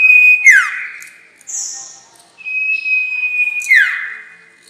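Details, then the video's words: Sirtu call played to lure birds for trapping: a falling slurred whistle, a short buzzy high burst, then a long level whistle dropping sharply at its end. "Pancingan suara pikat burung sirtu"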